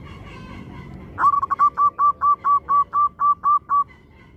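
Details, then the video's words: Local zebra dove singing, used to lure other doves into calling: a faint tonal sound, then a phrase of about twelve soft coos that start in a rapid stutter and then settle into a regular rhythm. "Perkutut Lokal Gacor AMPUH Untuk Pancingan Semua Burung Perkutut Agar Cepat Bunyi"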